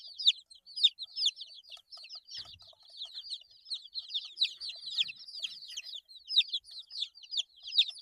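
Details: A brood of eight-day-old chicks keeps up continuous shrill peeping, short downslurred notes crowding over each other, with one brief soft thud partway through.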